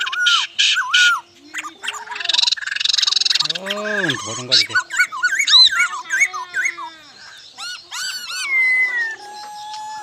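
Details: Laughingthrush song, described as very beautiful: a varied, loud run of whistled notes mixing sharp upslurs, bouncing arched phrases and harsh bursts, ending in a long falling whistle and a lower sustained tone.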